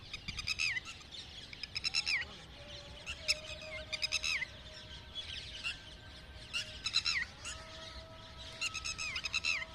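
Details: Red-wattled lapwing calls: bursts of harsh, shrill, rapidly stuttered notes, some ending in an upward-bending squeal, repeated in clusters over a steady background hiss with faint low tones.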